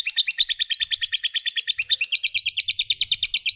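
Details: Long ngekek song of a gacor fighter lovebird, used to draw other lovebirds into singing: a steady, fast, chattering trill of sharp high notes, roughly seven a second, held unbroken through the whole stretch.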